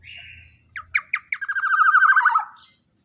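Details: Black-naped oriole lure call in the long-burst style, used as a model for other songbirds: a buzzy opening note, then clipped staccato notes speeding into a loud, sustained, rasping, downward-drifting buzz, ending abruptly.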